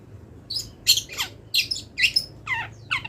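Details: Long-tailed shrike in moult singing imitations of wild birds: a rapid string of scratchy, buzzy high notes and short downward slurs, about two to three per second. A low background hum runs throughout.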